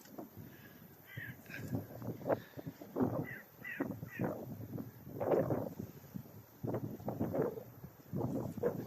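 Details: Several crows give harsh, rasping caws in uneven bursts, calling over one another, on a morning at RSPB Bowers Marsh beside a recently cut field, with a man talking quietly nearby.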